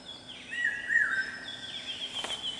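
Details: Male common hawk-cuckoo, the brainfever bird, calling on a campus: a stepped, mid-pitched phrase sounds briefly, while a long, thin, higher whistle from another bird drifts and falls alongside.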